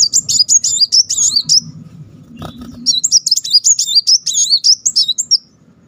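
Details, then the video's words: Energetic brown-throated sunbird song, the rolling 'tembakan' style, tumbling very high whistled wavering notes in long rapid phrases, a short pause between two runs. "Muncang tembakan roll rapet pancingan burung lain makin gacor."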